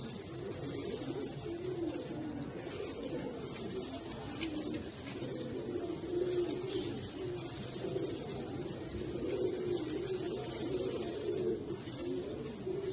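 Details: Fantail pigeons softly cooing in low, continuous, rolling murmurs beneath a constant hiss of background noise, with no sharp pauses.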